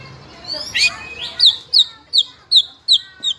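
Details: Speckled young white-rumped shama, fighter type, singing steadily to provoke rivals into singing: a rough buzzy opening, then six high downslurred whistles repeated roughly every third of a second.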